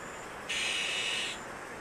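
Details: At an Azure-winged magpie nest in Maeji-ri, Wonju, Korea, where chicks are being raised: a single rasping, hiss-like burst lasting almost a second, with a faint tonal core, against constant background hiss.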